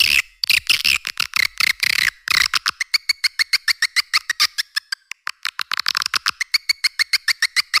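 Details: Call to attract edible-nest swiftlets, for caves and swiftlet farming: harsh high twittering bursts at first, then a long steady train of short sharp clicks and chirps, over two per second.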